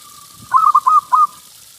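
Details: One phrase from a local zebra dove, whose song is played to attract other zebra doves: four soft, rolling coos in quick succession, the last slightly higher and drawn out.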